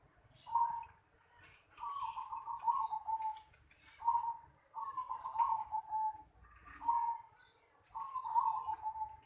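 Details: Repeated phrases from a zebra dove in a home yard: short trilled coos, each slightly falling at the end, roughly every two seconds, with scattered faint clicks and chirps early on.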